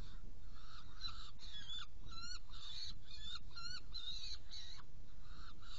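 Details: Saker falcon in Hungary on 16 June 2018 at 18:57, during prey delivery and feeding of two young: harsh, nasal calls with slurred ends, repeated about twice a second over a steady low rumble.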